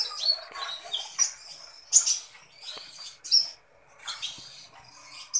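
A sunbird sings in short, very high bursts of sharp chips and thin trills, roughly one burst per second.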